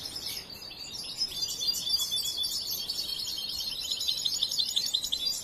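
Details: High, fast twittering from a young European goldfinch still in training: a continuous rattle of thin chirps and short trills with no pauses, over a faint background hiss.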